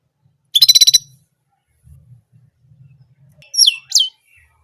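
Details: Orange German canary delivering one repeated song sound: a fast, bright trill of about seven pulses, a pause with faint low rustling, then two sharp downward-slurred chirps.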